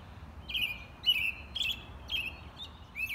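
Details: American robin song: a string of short, clear whistled phrases, each gliding slightly downward, given about twice a second with brief gaps, over a low rumble of background noise.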